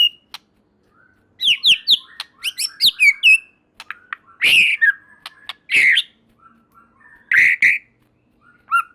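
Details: Song of a white-rumped shama (murai batu), played to make other shamas respond: quick varied whistles and chattering trills, then harsh, buzzy, squawking bursts with soft whistled notes between.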